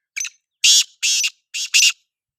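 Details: Loud black francolin call, a tight phrase of five harsh, scratchy notes: a short opening note followed by four longer grating ones in a clipped rhythm, with no other sound.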